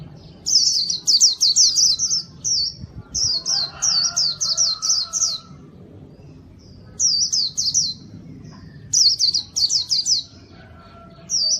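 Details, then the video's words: A white-eye sings to lure wild birds, in repeated phrases of fast, high chirps, each note sliding downward, broken by brief silences, with faint lower whistling in the middle. "masteran Burung PLECI gacor, sangat bagus buat mikat"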